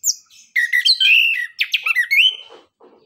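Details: Orange-headed thrush (anis kembang) giving a rich, dense run of varied whistles, chirps and slurred notes, fading into soft low chatter; song used to prompt other birds to start singing.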